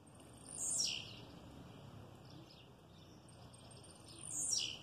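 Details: Blue-black grassquit kept in an aviary with its mate, singing: a loud, buzzy descending note, then a few faint ticks, and another similar falling buzz nearly four seconds later, over low background rumble.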